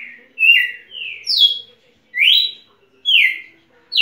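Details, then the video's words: Red-cowled cardinal, described as a champion singer, giving bright whistled notes that slide down or sweep up, separated by short pauses, clean and close with no other sounds. "Galo-de-campina campeão"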